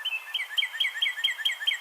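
A Northern Cardinal sings a quick run of clear, down-slurred whistles, about five a second, over a faint steady high hiss.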